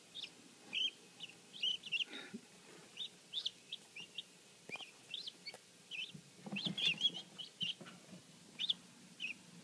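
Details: Helmeted guineafowl keets hatched the day before, a new batch kept indoors: many high, thin peeps, short and rising, in quick irregular succession, with faint rustling and thumps underneath.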